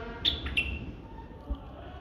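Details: White-eared bulbul gives two short, clear whistled notes in quick succession, the second slightly lower, over faint low thumps and hum.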